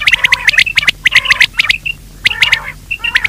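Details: Quail calling, a sound for luring quail by day: groups of quick sharp chirps about once per second, with brief rasping notes and gaps between groups.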